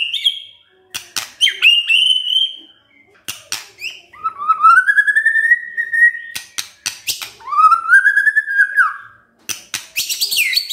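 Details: White-rumped shama in kretekan style, used to raise emotion: long, drawn-out rising whistles, two of them lasting nearly two seconds each, broken up by sharp dry clicks.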